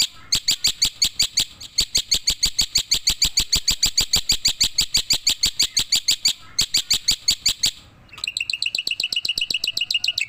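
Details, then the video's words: Tame black-winged myna singing actively while bobbing its head: a long, fast run of evenly spaced bright chirps with rich overtones, about three per second, then after a short pause a higher, tighter series of clipped notes. "burung jalak putih jinak gacor mangut manggut"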